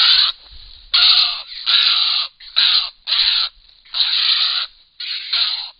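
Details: At Hen Reedbeds a pair of grey herons at their nest with young; loud, harsh, croaking squawks, each lasting about half a second to a second, separated by short pauses.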